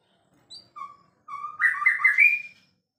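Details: A champion white-rumped shama gives a few soft lead-in whistles, then a loud, rich, rising warbled phrase that ends on a higher note.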